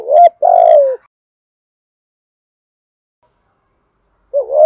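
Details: Spotted dove decoy call for luring birds: a loud, close low coo with a short note and a longer falling hoot, then a long pause before the next phrase begins.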